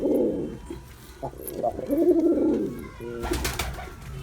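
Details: Performing male Girabaj pigeon gives soft low coos and a swelling arched coo, followed by a brief burst of clattering, likely wingbeats or movement.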